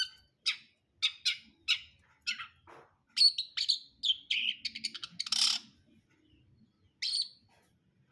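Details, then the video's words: Long-tailed shrike singing in the brundol style: a series of harsh, buzzy, scratchy notes, short rasps and chatters packed together. There are brief pauses between bursts, and a louder hissing rasp near the middle. "KICAUAN CENDET BRUNDOL"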